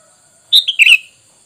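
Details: A sooty-headed bulbul gives one quick, bubbly phrase of three or four bright, slurred whistled notes dropping slightly in pitch, over near silence; the sound is offered as a lure that bulbuls answer at once.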